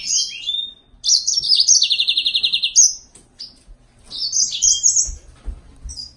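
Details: Green singer, the yellow-fronted canary, sings a lively phrase of sweet warbles that turns into a fast, even trill of repeated notes, followed by further twittering.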